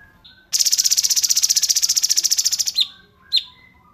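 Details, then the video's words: Cungkok song in a rapid style with pauses, used as a filler-song tutor recording for songbirds to copy: a high, buzzy trill of about 13 fast pulses per second lasting two seconds, then two sharp, high chirps. "CUNGKOK RAPAT JEDA"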